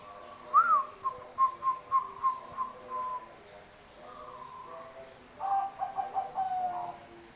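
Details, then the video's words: Bangkok-type zebra dove singing vigorously from its perch: a rising-falling opening note, then a string of even, repeated coos, a brief level tone, and a second rapid run of stuttered coos. "perkutut Bangkok manggung gacor"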